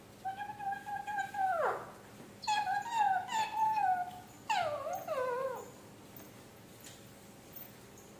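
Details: Talking parrot imitating speech: a long steady tone ending in a downward slide, then clipped harmonic syllables and a final wavering, falling phrase, with quiet pauses between.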